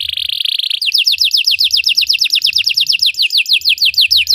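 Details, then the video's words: Belgian canary, its song used to get other canaries singing: an opening buzzy trill gives way to a lively, continuous roll of high notes that sweep downward, about seven each second. "Belgian canary singing makes your canary sing"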